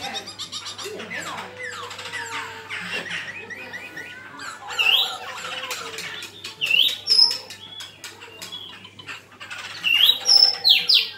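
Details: Black-throated laughingthrush singing its fighting song: soft chatter builds into loud, ringing, rising whistled phrases, repeated in bursts toward the end.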